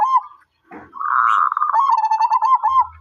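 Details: Zebra dove, a kept bird, giving a short coo, then a rustling noise, then one long, warbling, trilled coo phrase that wavers evenly before ending in quick pulses.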